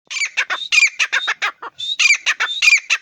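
A francolin gives loud, harsh, grating squawks in rapid bursts, about three to four notes per half second, with short pauses between phrases.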